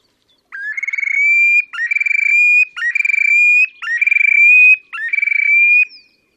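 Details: Terek sandpiper display calls from the Pra area of Oka Nature Reserve, Russia, 30 April 2019: five matching phrases about once a second, each an upslurred lead-in, a rapid pulsed trill, then a sustained rising whistle. Quiet background.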